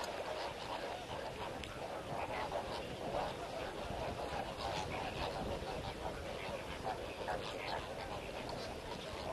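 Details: A large flamingo flock, with both lesser and greater flamingos and lesser most numerous, at Kamfers Dam breeding ground in Kimberley, keeps up a dense, nonstop chorus of nasal, goose-like honks and chatter, with a man's voice speaking over it.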